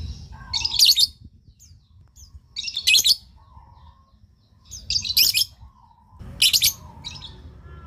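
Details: Calls of a lovebird meant to make other lovebirds answer: four sharp, shrill chattering bursts spaced about two seconds apart over a steady low rumble.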